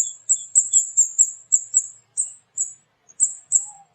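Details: Kemade, a small flowerpecker of countryside mango trees, calling loudly with thin, piercing high notes, first in a quick string of about eight, then spaced singly with short pauses; the background is otherwise silent.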